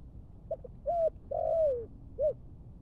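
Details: Captive Malaysian-type spotted dove being trained as a decoy gives soft, low coos: two short notes, a long drawn-out falling coo, then a final note.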